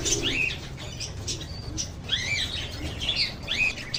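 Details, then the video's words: Lovebird chirping with high squeaky arched notes in short bursts throughout, overlapping calls and a low background hum. "RELAXING LOVE BIRDS CHIRPING SOUNDS"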